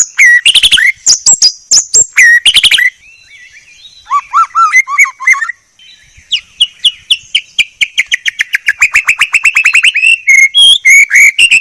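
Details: White-rumped shama (murai batu) song used as a training recording: loud, fast bursts of clear whistles and sharp chirps, a quieter passage of descending warbled notes, then a long run of rapid repeated chirps.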